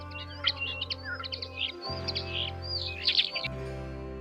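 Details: Common Starling, also called European starling, giving a busy run of short chirps, squeaky whistles and slurred notes in quick bursts over about four seconds, with steady background music beneath throughout.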